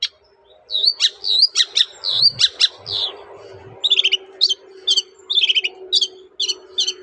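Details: Shrike in full song as a lure for others to reply: squeaky, whistled and rasping notes mixed with bursts of fast stuttering trills, over a constant low droning hum and a few soft thuds.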